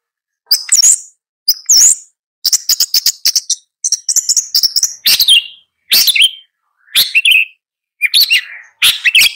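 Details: Long-tailed shrike song: high thin chirps and rapid ticking trills, then several descending buzzy swoops and sharp scratchy notes in separate bursts.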